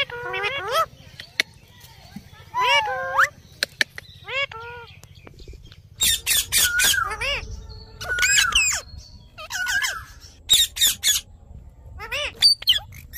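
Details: Parrot (tota) talking. Curving, voice-like phrases come first, then bursts of loud, harsh, broadband squawks mixed with more talking sounds, all over a low background hum.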